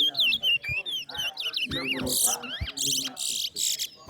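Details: Towa-towa seed finch singing during a bird singing race at New Amsterdam bird ground; rapid whistled phrases rise and fall, broken by harsh buzzy high bursts repeated about every half second, with low voices and background noise.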